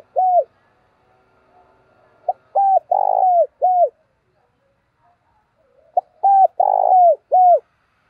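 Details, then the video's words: Captive decoy spotted dove cooing to draw in wild doves, in the 'thổ' voice style; two phrases of soft hooted notes, each with a short pickup note and a drooping closing coo, separated by a few seconds of silence. "Chim cu gáy mồi thúc và gáy gọi cực đỉnh dùng kích bổi mỗi ngày"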